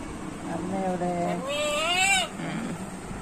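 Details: Pet parrot talking at home, reacting after its owner lay down for a while with a headache; a drawn-out, wavering voice-like sound with a steady low tone that climbs and bends upward, then fades under room hiss.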